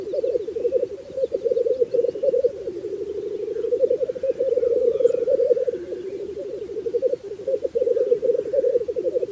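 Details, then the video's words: Black grouse giving a low, continuous dove-like bubbling that rises and falls in waves without pause, with faint higher calls in the background. "Black Grouse Bird Sound"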